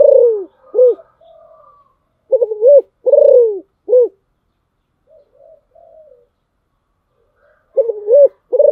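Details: Decoy spotted dove repeating bursts of deep, rounded coos in phrases of two or three notes, separated by quiet stretches with soft low mutterings, then a final coo phrase.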